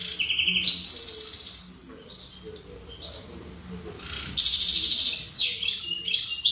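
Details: Wild-caught European goldfinch, locally mqnin khalwi, gives a buzzy, sustained high note, falls quiet for about two seconds with only a soft note, then resumes with buzzy trills and sweeping whistles.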